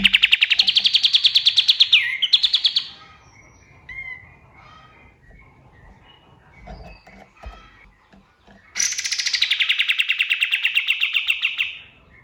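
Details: Dawn song of a male white-eye, called kapas tembak, used for training cage birds: a fast trill breaking into a second burst, scattered soft chirps and faint calls in a quiet middle, then a long descending run of rapid sharp notes.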